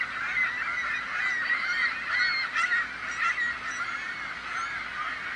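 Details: Massed gulls crying continuously, overlapping high, harsh squeals and wails forming a thick chorus that swells and dips every second or so.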